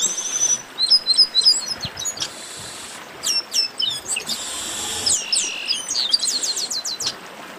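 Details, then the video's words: Chestnut-capped blackbird baderna, a flock chattering together: fast high twitters, buzzy rasping notes and sharp slurred whistles crowding one another throughout. "Baderna de Garibaldi"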